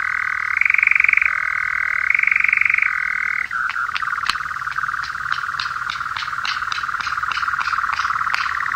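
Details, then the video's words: Paired male nightjar, song type with terminal phrase: an even churring trill with brief higher shifts, then an abrupt change to a lower, looser churr broken by a series of sharp clicks near the close. "Paired Male Nightjar Song"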